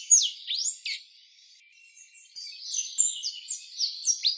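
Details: An orange-headed tanager (Thlypopsis sordida) calls with thin, very high slurred notes that sweep down and up, in quick bursts broken by a brief pause.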